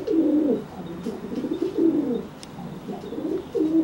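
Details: Threat display by a pigeon toward a wet bird just out of its bath: continuous low, rolling coos with swelling phrases, a few soft clicks in the background.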